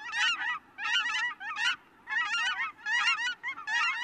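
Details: A flock of several cackling geese (Branta hutchinsii) gives bursts of high, yelping honks and cackles in rapid overlapping clusters about every half second to second; their calls are similar to Canada geese but generally higher pitched.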